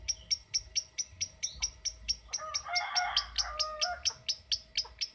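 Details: Lovebird giving its 'ngetik' typing call: sharp, high, clicking chips repeated about twice a second, joined midway by a brief lower chattering burst, with a faint steady hum behind.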